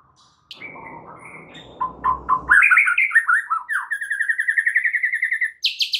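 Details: Singing white-rumped shama on a training recording for caged birds: a low noisy rasp, then rich varied warbling that turns into a fast rhythmic chatter of paired whistled notes, ending in a sharp burst.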